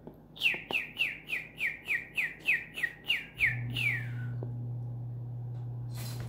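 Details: A pet cockatoo indoors, scared of everything for the last two weeks. It gives a rapid run of about ten squeaky, downslurred chirps, each falling in pitch. The series ends in a longer sliding note, followed by a steady low electrical hum.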